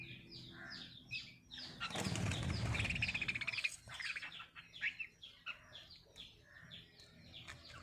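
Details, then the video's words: Lovebirds in breeding condition give a rapid series of short, high chirps, broken by a loud rush of flapping wings, then resume their quick twittering. "Love Birds Singing"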